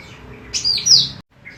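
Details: Hen cucak rante emas, a lively singer used as a master for training birds: one strong, high, drawn-out whistled phrase that swoops down and up, followed by a faint short note.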